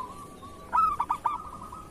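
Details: Zebra dove, a local perkutut of kerot style, cooing as master song for training other doves; one short phrase of four quick rolling notes, the first loudest and highest, then fading, with a faint steady hum behind.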